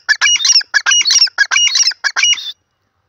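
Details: Grey francolin, called jungli teetar locally, calling in the jungle: a loud burst of fast, grating, repeated phrases lasting about two and a half seconds, then silence.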